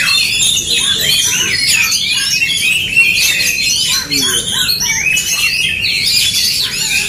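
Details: Oriental magpie-robins in an aggressive dueling bout: dense, scratchy high chatter mixed with short up-and-down whistled notes, continuous and loud throughout.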